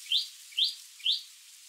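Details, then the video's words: Chestnut-fronted shrike-babbler: three clear, short, upslurred notes, evenly spaced about half a second apart, against a quiet background. "Tiếng chim Khướu Shrike, Khướu mỏ quặp cánh vàng"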